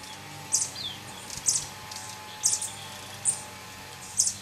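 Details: Violet sabrewing at Poasito, Poás, Alajuela, Costa Rica, giving sharp, very high single chips about once a second, five in a row, over a faint steady hum.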